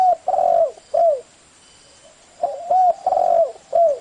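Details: Spotted dove from Vietnam, a recording used to train newly caught wild doves with its voice edited to suit, gives low, mellow coos with a slight downward bend in two bursts of several notes separated by a brief pause.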